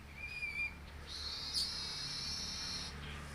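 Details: Yellow-headed weaver tutored with canary song, recorded 10 July 2019: a short clear whistle, then a long, steady, sizzling hiss of high buzzy notes lasting nearly two seconds, over low background rumble.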